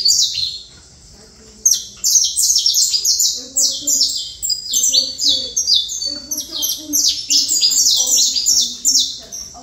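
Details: Saffron finch in sustained song, a long, fast cascade of piercing falling notes with barely a break, over a faint low murmur that resembles distant voices.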